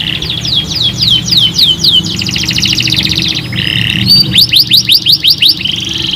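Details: Canary song meant to make other canaries sing fast: quick slurred whistled notes, a buzzy trill, lower rolling notes, then sharp repeated chirps, changing rapidly.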